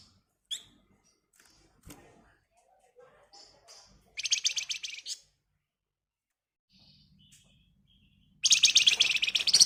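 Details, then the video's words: Agitated flamboyan bird song used to prompt other birds to sing: scattered thin chirps and whistles, then two loud bursts of fast, harsh, buzzing chatter, the second running to the end. "Burung Flamboyan Gacor Emosi Ngebren Rapat Nyerecet Cocok buat Pancingan"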